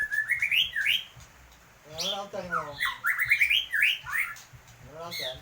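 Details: White-rumped shama singing actively with an unusual sound: quick runs of rising whistled notes alternate with harsh, buzzy, stacked rattling phrases, loud and closely recorded.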